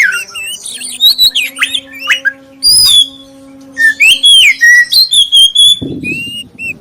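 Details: Oriental magpie-robin with black breast, song meant to lure others into singing, a lively mix of clear falling whistles, buzzy chips and a high rapid phrase, with a constant hum and a brief noise burst near the end.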